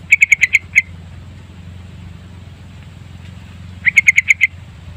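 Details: Lure song of the yellow-vented bulbul, meant to attract birds; two bursts of five or six clipped, high chirps in quick succession about three seconds apart, a low continuous hum underneath.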